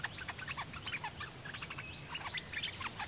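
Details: Red-whiskered bulbul, a dok taeng decoy bird in the forest singing at wild birds in a doubled song pattern; quick bright whistled and warbled notes tumbling continuously over a constant high-pitched whine.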